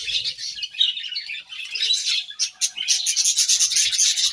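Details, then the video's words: Budgerigars chirping while eating grass: a steady stream of high warbling chatter and quick tweets, growing busier and more pulsed toward the end. "Beautiful Budgies Grass Eating Chirping Sounds"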